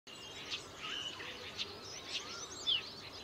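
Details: Verditer flycatcher (Eumyias thalassinus) in Himachal Pradesh, India, gives thin high chips and short whistled slurs about every half second, with a steady hiss of background noise.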